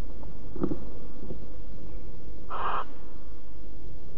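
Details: Barn owl in Alphen, 5 September 2019, 09:46, during cuddling: a faint soft rasp followed by one louder noisy hissing screech of about a third of a second, against constant low rumble.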